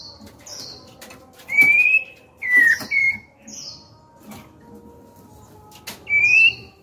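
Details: White-rumped shama female, kept as a cage bird, singing to spur males to sing; separate loud whistled phrases, rising and falling slurs with short high notes, spaced over about seven seconds with quiet gaps and light clicks.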